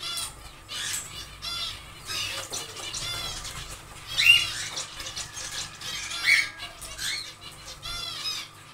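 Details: Aviary zebra finches at work on their nest on the second day: repeated nasal beeping calls and short buzzy trills from several birds, with louder single calls near four and six seconds and a steady low hum.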